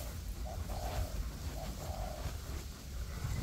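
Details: Caged decoy spotted dove calling in forest to attract wild doves for trapping, paired with a second decoy; two cooing phrases, each a brief note followed by a longer steady coo, with rustling and low background hum.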